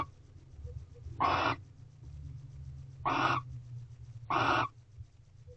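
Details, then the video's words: Three drawn-out hissing screeches, spaced over a second apart, from barn owls mating at a nest box in a corral at 8:19 pm on 18 February 2023, backed by a low hum. "Barn Owl Mating Second Night Part 8"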